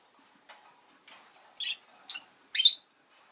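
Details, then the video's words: Rosy-faced lovebird kept indoors as a pet, making three rising high chirps, the last one loudest and shrillest, over faint murmuring town sounds. "Lovebird Chirping Sounds"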